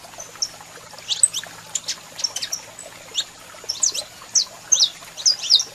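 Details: Caged saffron finch, male singing while a female calls, used to stimulate singing: scattered high chirps and sharp descending notes, bursts of bright trills near the end, faint steady hum beneath.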